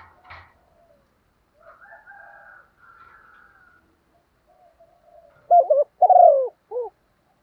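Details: Spotted dove in practice cooing. Faint bird chatter and soft noises come first, then one clear phrase near the end: a low double hoot, a rolling coo and a brief final hoot.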